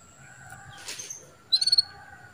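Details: Female canary calling to stimulate a male's breeding drive: one crisp, high trill of five quick pulses after a soft rustle, with a faint steady hum in the background.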